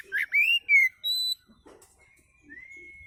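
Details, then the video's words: Oriental magpie-robin in relaxed lure song: a few rich rising whistles and a pure high note, then a long faint even whistle. "kicau Kacer santai ampuh buat pancingan"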